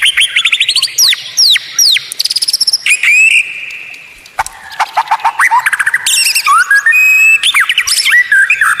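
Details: White-rumped shama kept in a cage as a tutor singer, pouring out very high rapid sweeping whistles and trills, pausing briefly, then resuming with dense fast varied phrases.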